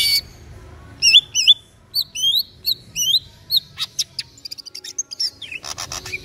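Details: Caged local East Java cucak ijo, the green leafbird, pours out looping whistled phrases, rising and falling, then a fast stuttering series of clicks and chips before a harsh final burst.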